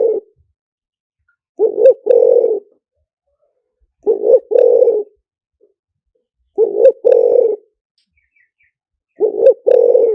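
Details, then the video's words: Decoy song of a spotted dove, lìw tan style, meant to draw wild doves in fast: deep two-part cooing phrases, a brief swelling note then a drawn-out rough coo, repeated roughly every two and a half seconds, clean background. "เสียงต่อนกเขาใหญ่หมานๆ, เสียงนกเขาใหญ่ ต่อเข้าเร็ว เสียงหลิ่วตัน"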